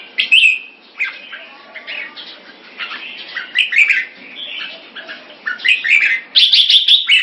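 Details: Singapore-kept competition red-whiskered bulbul singing varied liquid whistles and chirps, phrases rising and falling, ending in a loud rapid run of sharp notes.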